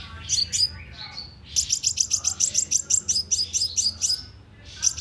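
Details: Sunbird lure calls played through a loudspeaker for bird trapping in Vietnam: high, sharp chipping notes rapidly repeated in a long fast series, with a few thinner buzzy notes and a low background hum.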